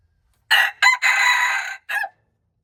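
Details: Red junglefowl crow recorded March 2, 2025: a hoarse, loud phrase of two short opening syllables, a prolonged rough middle note and a short tail note. It is heard once in near silence.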